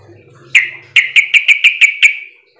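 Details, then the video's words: Sooty-headed bulbul giving its lure call to draw answers from other bulbuls: a sharp note, then a brisk run of about seven clear, evenly repeated chirps lasting roughly a second. "Pancingan trucukan agar bunyi sahut sahutan"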